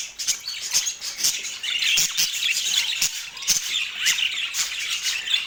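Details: Parakeet at morning mealtime in autumn daylight, giving busy high-pitched chirps and squawks broken by sharp clicking taps.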